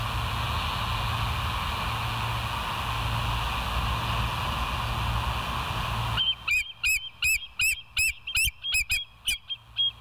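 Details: West End bald eagle on a live nature camera, morning of 21 September 2023 at 06:55; six seconds of hiss, then a loud burst of sharp, high piping chirps repeated in fast rhythm until the end.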